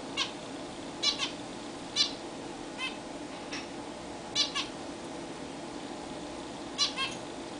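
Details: Caged zebra finches bathing for the first time in a new, bigger cage indoors. Short nasal, harmonic calls come singly or in quick pairs at irregular intervals over a steady low room hum.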